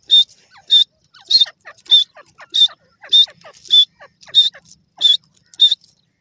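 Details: Grey francolin, a partridge known locally as perdasi teetar, calling naturally: loud, shrill, clipped notes with a whistled edge, repeated roughly every 0.6 seconds in a steady series, with fainter chattering sounds between the notes.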